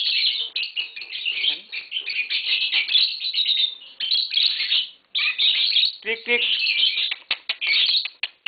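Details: A tame green Fischer's lovebird pair chatter nearly nonstop, harsh squeaky chirps tumbling together in fast strings, with a few lower clicks midway through.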